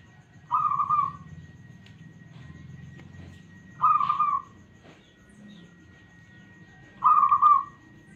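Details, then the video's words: Local Indonesian zebra dove with a smooth voice, kept for prompting other doves to sing: short purring, trilled coos repeated about every three seconds over a low steady hum and faint background noise. "PERKUTUT LOKAL SUARA MULUS"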